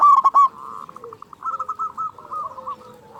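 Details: Zebra dove, a local bird and keen singer, used as a lure for silent doves. A loud burst of three to four clipped coos comes first, then a fading string of soft, evenly spaced notes.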